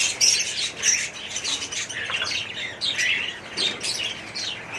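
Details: Aviary colony of budgerigars, overlapping chirps and squawky warbling from several birds, steady busy chatter with short bright notes.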